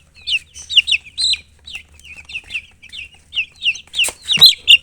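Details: Baby chicks cheeping: loud, piercing, descending peeps in quick irregular bursts, with a short clatter of knocks near the end and a soft low hum beneath.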